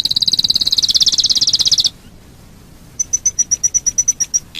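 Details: Domestic canary song meant to lure other canaries to sing: a rapid high buzzing trill, a pause, then a quick series of about a dozen bright piping notes.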